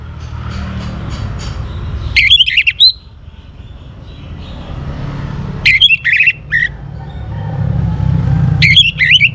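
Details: Young orange-headed thrush from northern Bali, Singaraja, used to prompt other birds to sing: short bursts of sharp, varied whistled notes every few seconds, separated by pauses, over steady low traffic rumble.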